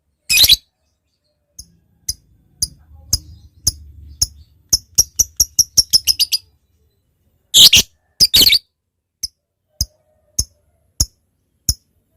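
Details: ['Lovebird ngetik used to lure a rival: sharp dry ticks, sparse at first then quickening into a rapid clicking run, then a burst of harsh chatter, followed by single ticks spaced about every half second.']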